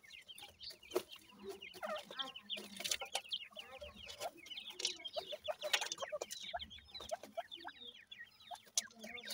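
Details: Captive Grey francolin chicks bred from a gora teetar male and a dakhni teetar female give a dense chorus of sharp, falling high-pitched cheeps, interrupted by loud rustling and clattering bursts.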